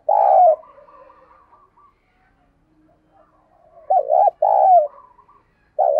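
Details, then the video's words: Thúc rousing call of a caged decoy spotted dove, used to trigger calling in other doves: a strong opening coo, quiet murmuring, then a clipped note, a longer falling coo and a final coo. "Tiếng Thúc Chim CU Gáy Sung - Kích Bổi Nhanh Nổi"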